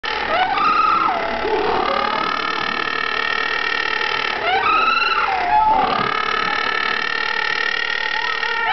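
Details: Little penguin at Penguin Island, Western Australia, giving a loud, harsh braying call of nasal, wavering tones that swoop up and down, broken by throaty gulps every few seconds.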